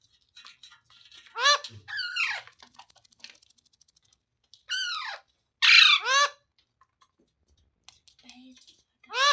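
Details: Parrot repeating loud, harsh, ringing calls at irregular intervals, some doubled in quick pairs, with soft clicks and chatter in between.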